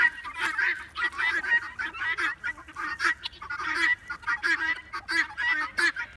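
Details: Several domestic guineafowl calling loudly while chickens scratch through duck bedding dumped on a compost pile: a continuous, overlapping chorus of harsh, rasping, cackling notes in rapid pulses with almost no pauses.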